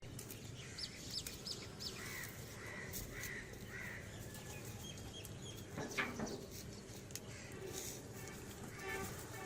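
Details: Crows rushing in to feed give a run of four or five harsh, short caws, about one every half second, over a busy background of flapping wings and scattered chirps from other birds.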